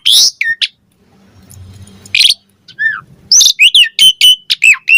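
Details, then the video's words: Asian pied starling song to make other starlings reply and sing: a few harsh rasps and whistles, a quiet pause, then a fast closing run of repeated whistled, hooked notes. "Suara Jalak Suren Bakal Langsung NYAUT Buat Masteran & Pancingan Burung Jalak Agar Gacor Full Isian"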